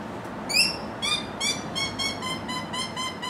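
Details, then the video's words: Australian rainbow lorikeets giving a run of short, harsh screeches repeated about three times a second, after one louder opening squawk; faint low rumble underneath. "Australian Rainbow Lorikeets"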